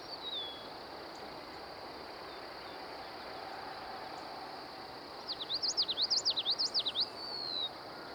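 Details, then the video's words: Common Yellowthroat at Manassas National Battlefield Park singing a quick, rolling run of high, zigzagging 'witchety-witchety' phrases going up and down, with a distant Eastern Meadowlark's slurred downward whistles before and after. "Neat to see that common yellow throat call as well. You can see it sort of going up and down with that witchy witchy."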